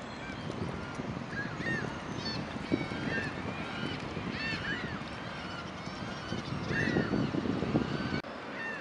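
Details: Canada geese (Branta canadensis) at a pond where they return each spring to spend the summer: overlapping bursts of honking, many nasal two-part calls close together, over a steady low rumble of background noise.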